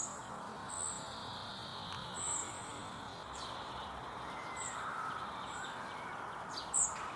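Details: Spotted flycatcher nestling pleading with its mother for food: sparse, thin high squeaks at irregular intervals, a few faint lower chirps between them, over soft outdoor hiss.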